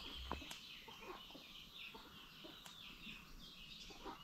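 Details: Low, short clucking from free-ranging farm chickens, scattered irregularly through the recording, with brief sharp clicks and faint high-pitched songbird chirps over constant rural background noise.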